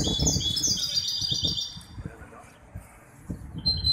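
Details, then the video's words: Hybrid goldfinch at a song competition in Casablanca, Ain Chock bird association, 23 May 2021: a short flurry of high twittering trills fades out, then a brief new phrase starts, amid low background rumble. "مباراة تغريد هجين الحسون"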